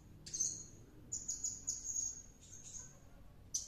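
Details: Blue-crowned hanging parrot, seemingly in a frenzy after returning from a luring session, giving very high, thin, shrill squeaks in quick bursts, a few drawn out into short trills, over a faint low hum.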